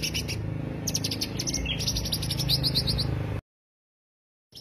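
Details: Greater green leafbird lure song: rapid high chattering notes and a rising whistle for about three seconds, then abrupt silence and a brief resumption at the end.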